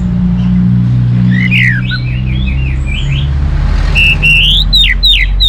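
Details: Song of an orange-headed thrush used to prompt other birds into singing: varied warbled whistles and rising slurs, ending in quick falling notes, with loud low engine-like rumble beneath.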